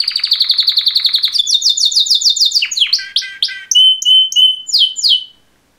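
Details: Two male canaries, mating call song: fast even trill of about eighteen pulses, then sliding double notes, downward sweeps and clear piped whistles before the song stops.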